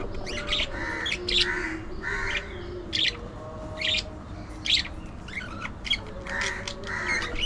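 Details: Budgie chattering in rapid clicks and short bright chirps, broken by scratchy bursts at irregular intervals, about once a second, against a background hum.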